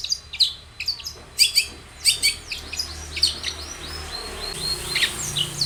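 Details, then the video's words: Long-tailed shrike song used to coax another shrike into singing, a varied sequence of sharp chips, downslurred harsh notes and thin high twitters at irregular spacing. "SUARA cendet Gacor full varian pancingan cendet agar bunyi"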